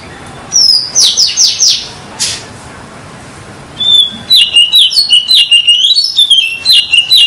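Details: Oriental magpie-robin lure song: a few harsh, buzzy rasping notes open, then a pause, then a quick series of clear, bouncing whistled phrases repeated in fast succession.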